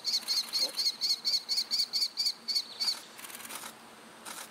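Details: Common kestrel chicks in Inagi, Tokyo, Japan, on 15 July 2020, give a quick series of about a dozen high, thin, squeaky notes, roughly four a second, then softer wheezy hissing.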